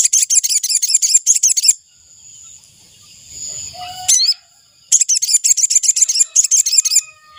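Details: Ashy tailorbird call used as a decoy to lure wild birds: two bursts of rapid, sharp, high chipping notes, about seven per second, each lasting nearly two seconds, separated by a quiet pause with a faint steady high hum.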